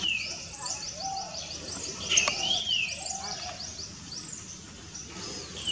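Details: Three greater racket-tailed drongos give sharp, ringing downslurred whistles and metallic notes, overlapping at about three notes a second, over a hiss of insects.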